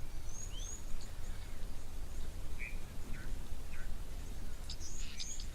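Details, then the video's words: Red-billed oxpeckers, riding giraffe bulls that came to drink at an African waterhole on 27 May 2024, give short, thin, scattered chirps, some high and some lower, over a steady low rumble of wind. "You can hear the chirps of the oxpeckers now as well, the red-billed oxpeckers."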